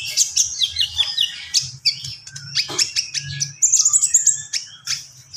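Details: Common iora singing energetically, gacor style: a busy stream of high chirps, twitters and slurred whistles with hardly a break, over a soft low rumble.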